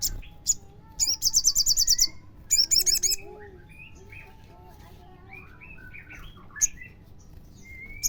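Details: Crimson sunbird song used as a lure to make other sunbirds sing: a fast, very high, chattering trill lasting about a second, then a shorter repeat, amid many whistling birds in the background.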